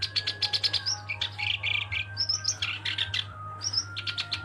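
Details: A black-browed reed warbler sings in energetic runs of grating, buzzy notes broken by higher upslurred chips and short gaps, with a low steady hum and a faint high tone running behind.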